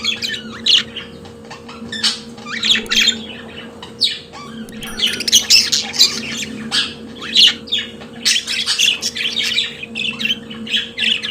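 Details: Pet budgerigars singing: long stretches of harsh squawks and scratchy chattering warbles, nearly continuous, with a constant low hum under the birds.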